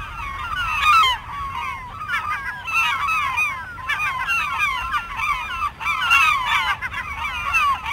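A flock of gulls calls over one another without pause, with harsh, yelping cries that rise and fall and overlap in a steady clamour.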